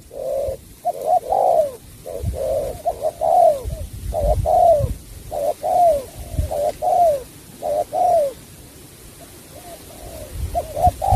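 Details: Spotted dove repeating bau bach de style song, with many hollow coos in short-long pairs, the longer notes sliding downward, and low background rumble.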